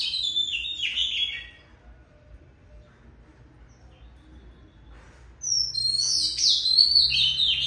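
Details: Oriental magpie-robin, a burst of high whistled notes, a long quiet pause, then another bright rapid phrase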